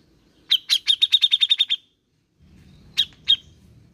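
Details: Grey-cheeked bulbul lure sound for a reluctant singer: a rapid string of about eleven bright high chirps, then two isolated notes over a low humming background.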